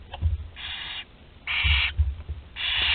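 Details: Barn owl nestling aged 13 days, Théding, France, July 2020, managing to swallow prey whole: three rasping, noisy hisses roughly a second apart, separated by low muffled bumps and shuffling.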